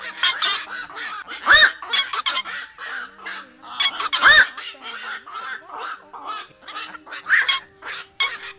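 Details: Flock call of black-crowned night herons, recorded as a 2024 lure for night nets: rough croaking barks in clustered bursts, two loud arched screeches stand out, with a low hum under the chorus.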